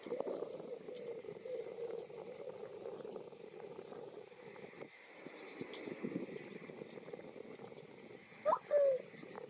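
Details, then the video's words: Greylag goose at the Botanical Garden in Myślęcinek, Bydgoszcz, Poland, recorded on 2 April 2023 with a Lumix FZ82. A single loud, falling honk comes near the end, over a steady low background hum and rustle. "Gęgawa / Greylag goose (Anser anser)"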